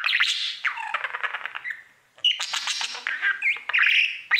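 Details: Budgerigar at its mirror giving harsh squawky chatter and rapid clicks, a brief pause, then renewed warbling with whistled slides.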